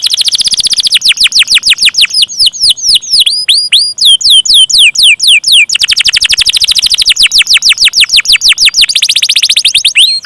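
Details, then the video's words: Canary singing a long rolling 'ngeroll' song: rapid series of clear whistled notes, each sweeping sharply downward, repeated about twice a second and speeding into dense trills, bright and high-pitched throughout. "KENARI KOLABORASI GACOR NGEROLL PANJANG"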